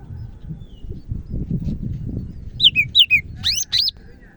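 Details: Greater green leafbird from Medan, singing actively. Low murmuring background gives way to a string of clear downslurred whistles, then two loud upswept ringing notes.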